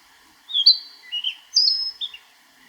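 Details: Narcissus flycatcher singing in Niigata Prefecture, Japan: a short phrase of clear whistled notes, a bright slurred note sliding down, a lower warbled pair, then a high sustained whistle and a quick falling ending, in a quiet setting.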